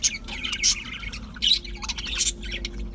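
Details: Budgerigar chatter: quick high chirps and squeaky whistled notes in uneven bursts, a louder squawk near the middle, over a soft low hum.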